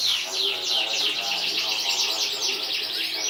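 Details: Winning canary from a 2014 competition sings quick, rolling high trills of down-swept notes, fast and continuous, with a faint lower hum beneath.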